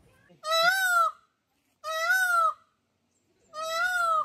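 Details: Indian peafowl at Tirupati zoo, white and normal peacocks shown together; three loud, nasal wailing calls, each under a second, rising slightly then falling, spaced about one and a half seconds apart, with quiet between.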